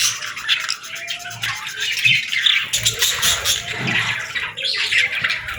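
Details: Parakeets chirping in the morning: a dense, overlapping chatter of many birds, with busy high warbling notes and short squawks, plus a few softer low thumps beneath.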